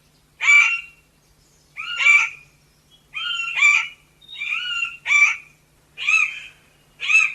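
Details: Chestnut Forest Rail, a shy New Guinea rain-forest floor rail, gives seven harsh, raspy, nasal notes at roughly one-second intervals, each a short grating burst; no other sounds.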